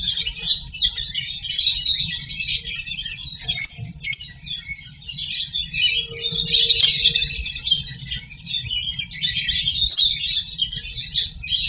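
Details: Lovebirds inside a nest box during breeding, hatching and chick feeding give continuous high, dense, scratchy chattering. It swells and fades in waves over a low steady hum.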